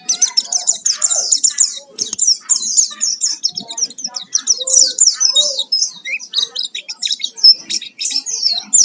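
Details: Oriental white-eye singing hard in a full fill-in song used as a singing lure: a dense, nonstop stream of rapid high chirps, trills and thin whistles with hardly a break.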